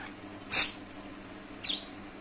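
A budgerigar gives two brief, scratchy high chirps about a second apart, the second a quick falling note, over a faint steady background hum.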